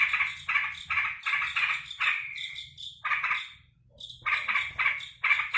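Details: Caged sooty-headed bulbul greeting its keeper home from work utters rasping, chattering bursts, trails into a thin drawn note, falls silent for a moment, then restarts its harsh chatter.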